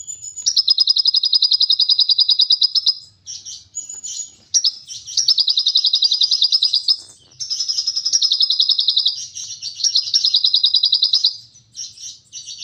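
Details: Lovebird giving its long 'ngekek' chatter: very fast, high buzzy trills lasting two to three seconds each, four main bouts broken by brief sharp notes and short pauses.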